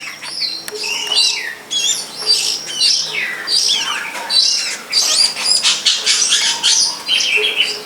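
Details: Long-tailed shrike, known locally as cendet, singing in the wild: a loud, busy stream of varied high whistles, chatters and sweeping notes, with other bird sounds mixed in and no pauses.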